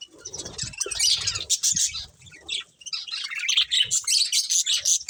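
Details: Colourful caged budgerigars chatter as they eat, giving rapid, high, buzzy chirps and warbling twitters in overlapping bursts, with faint low rustling early on.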